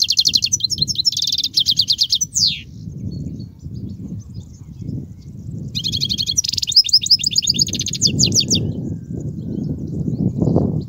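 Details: European goldfinch singing, a song used to teach young goldfinches: bright rapid twittering trills and liquid tinkling phrases in two bursts, separated by a pause, over a steady low rumble.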